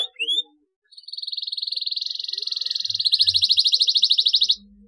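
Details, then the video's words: Canary call meant to prompt silent canaries to start singing: one brief rising chirp, then a long, steady, buzzy rolled trill that grows louder and more pulsed toward the end. "CUITAN KENARI PALING JITU UNTUK TERAPI KENARI DIAM MALAS BUNYI"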